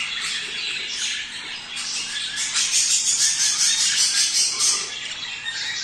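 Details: Budgerigars chattering to encourage breeding: steady busy squawks with a run of bright, rapidly repeated high chirps in the middle, among a background wash of many birds.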